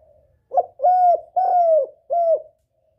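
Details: Calling spotted dove luring a male, giving one phrase of four hollow coos: a brief opening note, two long steady coos and a clipped closing coo, on a quiet background.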